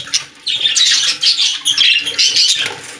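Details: Pet-store budgerigars in continuous, bright, scratchy warbling and squeaks, several birds calling at once over a faint steady background hum.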